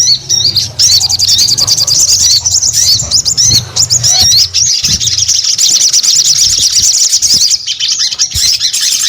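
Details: Sogon bird in full song: a near-continuous stream of thin, high chirps and fast twittering trills, with faint low rumbling beneath.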